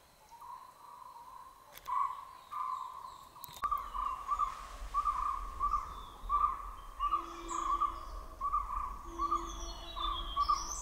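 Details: Puff-throated babbler foraging at Nandi Hills, Chikkaballapur, Karnataka: a steady series of short, mid-pitched notes repeating roughly every 0.7 seconds, with a low rumbling background and a faint lower tone in the second half.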